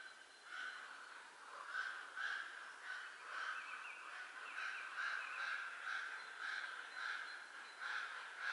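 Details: Four hungry young common ravens about three weeks old beg in their nest, Göttingen region, 24 April 2022; steady series of hoarse, nasal calls pulsing about twice per second throughout.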